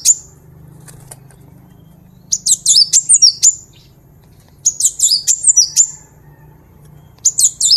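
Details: Vocal master song of the cinereous tit, known locally as gelatik batu or wingko. Short bursts of about eight rapid, shrill, looping notes repeat every two to three seconds, with quiet gaps in between.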